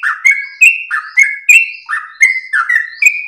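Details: Melodious ropel song of a sooty-headed bulbul, prized for long breath and used to train and lure other birds: quick succession of liquid whistles alternating low and high slurs, loud and close, no other sound.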